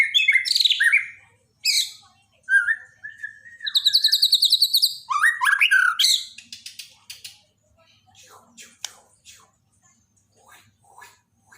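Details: White-rumped shama from Borneo, a daily song-training recording: loud varied phrases of whistles, rapid trills and buzzy chatter for six seconds, then softer scattered clicks and short notes.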